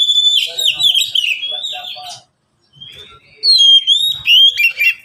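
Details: Caged Oriental magpie-robins, three birds replying to one another, song offered for tutoring and luring wild birds: dense warbled whistles and chatter, then a short silence, then loud sweeping whistled phrases resume.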